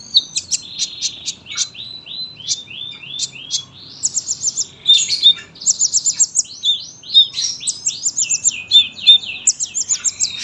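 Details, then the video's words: Sunbird in long, dense song: rapid high twitters, bouncing trilled phrases and buzzy rattles, delivered almost without pause over ten seconds. "KOLIBRI GACOR PANJANG SUARA RAPET"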